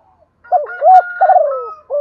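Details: A female spotted dove, calling in the rainy stormy season to stir up males, gives soft, burry coos in three quick phrases over two seconds, mellow and slightly wavering, with nothing else heard.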